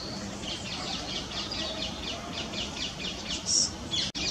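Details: Great tits feeding on seeds while still feeding fledglings give a quick run of thin, high chirps, about four per second, with a brief sharper squeak near the end; fledglings' begging calls may be among them, over soft outdoor hush.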